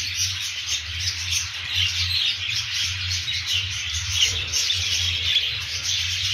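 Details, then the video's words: A group of budgerigars warbling and chirping nonstop, shrill and scratchy, with occasional brief clear whistles cutting through and a low hum beneath. "periquitos australianos"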